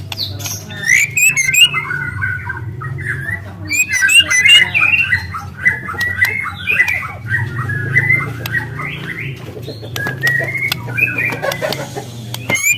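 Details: Free-living young white-rumped shama delivering a long, busy song of canary-like imitations, quick slurred whistles and chatters tumbling one after another, with a constant low droning hum beneath.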